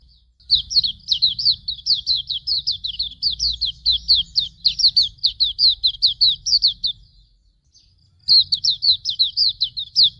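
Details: Hume's white-eye song used as a master recording for training birds: a long run of high, sharp down-slurred chirps at about four per second for six seconds, a brief silence, then the same rapid chirping resumes; faint low rumble beneath.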